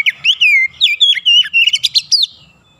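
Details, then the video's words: Oriental magpie-robin giving the rolling, rapid ngerol and nembak song. One continuous string of loud, clear whistled notes rises and falls, then ends in a flurry of sharp trilled notes. "KACER NGEROOL NEMBAK RAPAT DAN GACOR"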